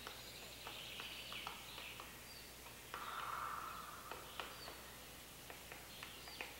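A male Eurasian three-toed woodpecker gives sharp, irregular wooden taps, a few per second, with soft rustling and faint background hiss.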